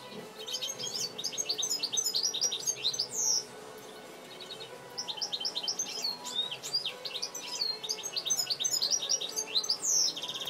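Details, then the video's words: Captive-bred European goldfinch, hatched the previous year, in a long, fast, liquid twittering song of high tinkling notes and short trills, with a brief pause midway before the chatter resumes. "Goldfinch singing"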